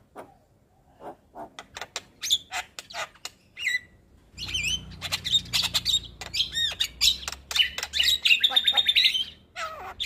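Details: Continuous chattering song of a Javan pied starling, a string of quick chirps and clicks building into dense whistled notes and squawks, with a low hum in the background from the midpoint onward.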